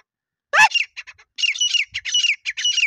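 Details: Grey francolin (desi teetar) used as a hunting lure in Sindh, Pakistan: one loud, sharp opening squawk, a brief pause, then a run of hoarse, clipped notes with thin whistled tails, quick and uneven.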